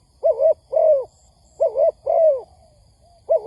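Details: Lure recording of a spotted dove for trapping: clear, mellow double coos, a wavering note followed by a longer downward-curving one, repeated about every one and a half seconds in a quiet setting.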